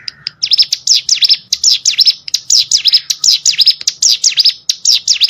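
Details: Hill prinia (cigun) song recorded as tutor audio for competition songbirds: rapid series of high, sharp V-shaped sweeping notes, falling then rising, repeated in quick bursts after a brief lower opening note.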